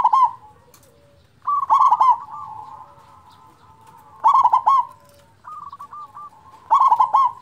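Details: Zebra dove, a loud local bird used to rouse silent doves; rolling trilled coo phrases repeat roughly every two and a half seconds, separated by long soft humming coos.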